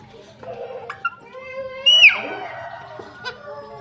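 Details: Alexandrine parakeet talking: a voice-like, harmonic babble with a sharp whistled sweep that rises and then drops steeply near the middle, followed by softer warbled sounds.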